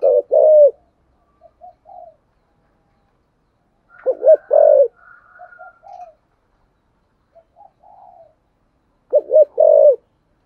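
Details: Spotted dove in the 'thổ sấm' voice style with a double ending: three low coo phrases spaced about four seconds apart, with soft short notes between and a faint higher whistle once.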